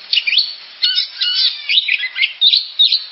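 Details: Oriental magpie-robin pours out a fast jumble of whistled and twittering notes, bright and high, in several rapid bursts with brief gaps between them.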